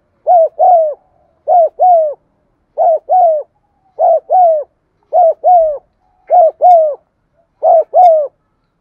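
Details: Spotted dove coos repeated steadily, used to get non-cooing birds calling: seven evenly spaced two-part phrases, each a short note and a slightly longer falling coo, roughly one per 1.3 seconds, otherwise silent.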